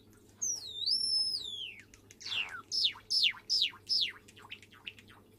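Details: A white Java sparrow, recorded December 30, gives a long, high, wavering whistle, then a run of about seven quick, sharply falling notes, over a steady low indoor hum.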